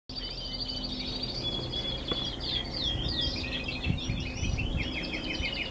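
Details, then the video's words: Several canaries singing in November: busy, overlapping high twittering trills and chirps, with rapid repeated notes and short whistles, over a low background hum. "Canaries singing in november."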